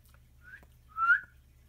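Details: Pet female cockatiel indoors, perched high on a frame, sweet-talking for attention: a quiet short whistle followed by a louder, brief upslurred whistle, with a soft tap and steady low hum.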